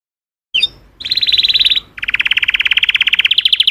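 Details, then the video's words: Canary song opens with a brief high flourish, then a fast buzzy trill of repeated notes, a short break, and a lower, even faster rolling trill that rises slightly at the end. "تغريد كناري Chant Canaris singing canaries"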